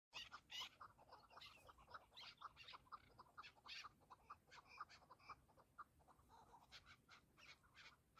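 Chukar partridges give a rapid, uneven stream of harsh clucking and chattering notes, several birds calling over one another without pause.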